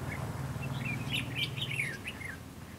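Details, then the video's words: Red-whiskered bulbul singing at a fighting trap to draw in rivals: one flowing phrase of tumbling, bubbly whistled notes, rising then sliding down, over a low background rumble. "bẫy đấu chào mào"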